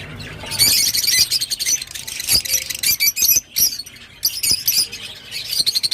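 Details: Shrill, harsh chattering from a rosy-faced lovebird. Bursts of high squeaks and screechy notes come in uneven runs, with brief gaps.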